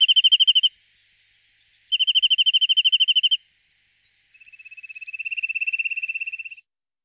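Corsican nuthatch giving three fast, high trills of rapid, even notes, the last longer and swelling in volume before stopping; otherwise quiet.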